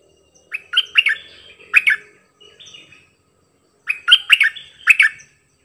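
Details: Decoy bulbul kept as a caller, singing varied songs: clusters of fluty, bubbly whistled notes in bursts, then a soft lower warble, a pause of about a second, and another lively burst.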